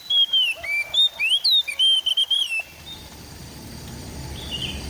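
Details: Oriental magpie-robin (kacer) in East Java, Android phone recording. A quick medley of bright whistled slurs and chips for under three seconds, followed by steady background hiss with one faint distant phrase.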